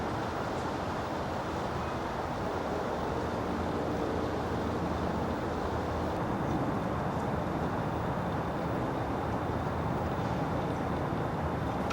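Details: Steady low rumble of passing traffic or a train, with no animal calls.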